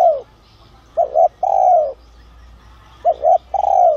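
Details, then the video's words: Spotted dove, a caged decoy bird of the 'son' voice style, calling to lure wild doves: a quick double coo followed by a long, slightly falling coo, the phrase repeated twice. "tiếng cu gáy gáy gọi , thúc kích mồi, gọi bổi đến"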